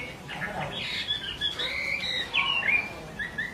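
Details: Female Chinese hwamei calling continuously with an unsettled male nearby; bright slurred whistles and upswept notes come in short bursts, some clear rising-falling phrases standing out over a low background hum.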